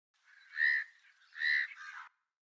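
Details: House crow, recorded in India, gives two harsh, nasal caws about a second apart, the second running into a shorter, lower rasp; nothing else is heard.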